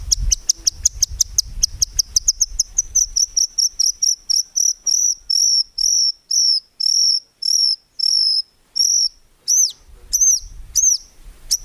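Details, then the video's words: Murai batu, the white-rumped shama, in a songbird training recording full of tembakan and fill-in phrases: a fast insect-like ticking run that slows into evenly spaced high, clipped whistled notes, ending in arched upward-sweeping calls, with faint low rumble. "MURAI BATU GACOR FULL ISIAN TEMBAKAN MEWAH GAK ADA NGUKLUK NYA"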